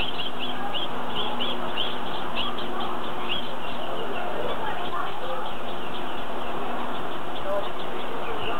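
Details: Gouldian finch babies being fed beg with rapid, rasping, high-pitched chirps repeated in quick bursts, over a steady low rumble of background noise.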